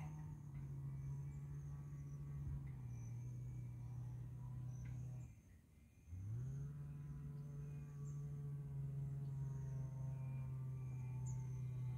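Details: A steady low droning hum, like an engine or didgeridoo, drops briefly to near silence around the middle and then resumes, with no animal calls audible.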